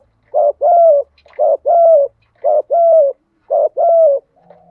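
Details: Spotted dove decoy giving a bout of coos meant to trigger wild doves to coo. Four evenly spaced phrases each pair a brief note with a longer mellow falling coo.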